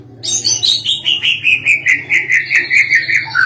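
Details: White-rumped shama in a hanging cage, in full song for training other birds: a fast series of about twenty clear whistled notes, repeated more than twice a second and gradually falling in pitch, with a steady low hum behind.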